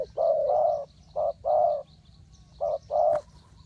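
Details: Spotted dove calling as bait for catching wild birds: deep, throaty coos grouped as a short note plus a longer note, repeated three times, with a brief tap near the end.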